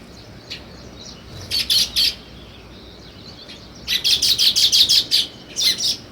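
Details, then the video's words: Sparrow chirping in short bursts: a few sharp, high chirps, a quiet gap, then a quick run of about eight rapid chirps and a final pair. "Sparrow Chirping Sounds"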